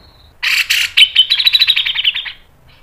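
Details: Grey-cheeked bulbul giving its fast, sharp training song: two harsh opening bursts run into a dense, quickening rattle of bright chirps lasting about a second and a half.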